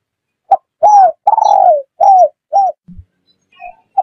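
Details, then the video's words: Spotted dove cooing, used as a lure call by bird catchers: a series of short low coos, several drawn-out, arched and falling, given about twice a second, followed by a brief knock and softer trailing notes. "tiếng chim cu gáy || GÁY, THÚC, GÙ"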